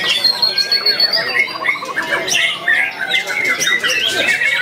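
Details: Juvenile white-rumped shama reacting to a rival and a female by beginning to pour out its learned phrases: unbroken scratchy chatter mixed with short clear whistles, a brief rapid trill near the middle, and harsh squawking notes.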